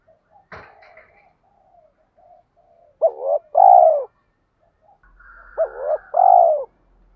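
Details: Spotted dove lure call in the 'thúc' style, used to excite wild doves. A sharp click and soft cooing come first, then two phrases, each a wavering note and a long, mellow coo.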